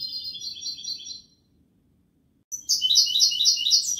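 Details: European goldfinch song, Kobia Malaga style: a soft, even rolling trill fades out, a second of silence follows, then a louder, bright, ringing trill of repeated buzzy notes resumes.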